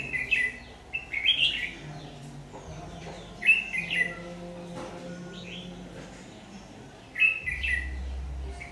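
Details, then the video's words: Red-whiskered bulbul of the 'má lỡ' type, noted for a very harsh, forceful voice, sings in a decoy trapping session on 22 August 2019: several loud, jumbled warbling phrases of chirpy whistles, recurring every few seconds, with faint low background noise. "Bẫy chào mào Má lỡ giọng cực gắt"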